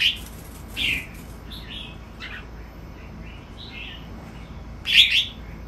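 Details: Fancy Red-whiskered Bulbuls at a breeding farm give short, bright chirping and warbled notes in scattered bursts, loudest near the end, against a quiet background.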